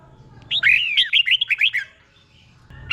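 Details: Single quick phrase from a caged red-whiskered bulbul tutor: a rapid chain of about eight looping, liquid whistles lasting just over a second, then quiet with faint hum.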